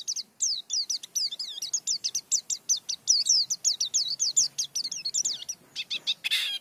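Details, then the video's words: White-eye of the pleci dakun type in a rolling ngerol song: a long run of quick, high, down-slurred whistles repeated almost evenly several times a second, ending in harsher chips. A faint low hum sits beneath. "Pleci Dakun Ngerol Gacor Bongkar Isian"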